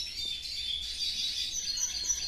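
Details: Pet hooded siskins in cages placed around a house pour out a steady, high twittering song of rapid chirps and trills, with more birds singing from farther off indoors.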